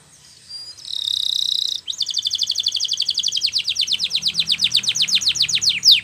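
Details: A canary, in Spanish Timbrado training song, gives a dense metallic buzz, then a fast, high rolling trill of sharp chipping notes that keeps up for several seconds.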